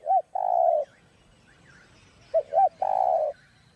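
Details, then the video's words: Spotted dove singing giọng đồng to stimulate other doves. Two phrases, each with short hooked notes and a long, flat coo, with soft chirps from other birds faintly in between. "Cu Gáy Giọng Đồng Chuẩn GÁY THÚC GÙ Kích Mồi Tập Bổi Ức Chế.Tiếng Cu Kích Trống"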